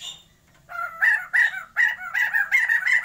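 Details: After a quiet start, a caged Sumatran white-crested laughingthrush pair kept for breeding gives rhythmic harsh cackles, about five loud bursts in quick succession.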